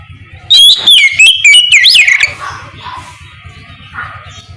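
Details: Oriental magpie-robin singing ngeplong in the morning as a lure for others to respond: a loud two-second run of ringing, looping whistles, then quieter chirps over a faint rhythmic low thumping.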